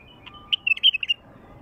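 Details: A wild bulbul sings a brisk phrase of about eight bubbling, whistled notes, rapid and slightly rising and falling, after a soft lead-in note. Recording meant to attract wild bulbuls, with a calm background.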